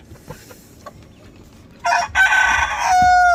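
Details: Rooster crowing in South Korea: after faint background knocks, a loud crow begins with choppy raspy syllables and settles into a steady harmonic drawn-out note continuing to the end.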